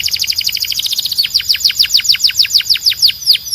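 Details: Belgian canary singing a fast series of high, downward-slurred notes, about three per second and speeding at first, with a faint low hum underneath.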